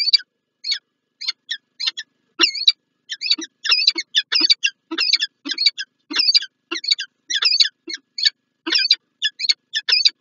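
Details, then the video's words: A pair of peregrine falcons at PGE Lublin, Poland, during a morning meeting in January 2024: a long, fast run of scratchy, grating chatter notes, irregularly spaced, about forty-eight bursts per minute, with no other sounds. "Sokół wędrowny PGE Lublin(PL) - Czart & Wrotka, poranne spotkanie"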